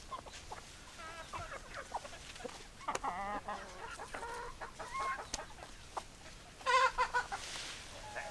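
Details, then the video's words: Many chickens clucking and chattering in overlapping, stuttering calls, a few drawn-out wavering notes, and one loud harsh squawk late on, over constant background noise. "Chicken Sounds Noises Hens Clucking Roosters Crowing"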